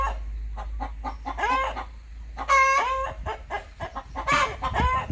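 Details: Rooster in a farmyard clucking: short rhythmic clucks, with drawn-out harmonic squawks near 1.5 and 4.3 seconds and a louder nasal bawk around 2.5 seconds, over a low rumble.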